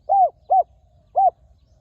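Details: Wild spotted dove worked with a ground decoy, praised for a fine, very resonant voice: three short arched hooting coos, the first longest, evenly spaced over under two seconds, against a quiet background.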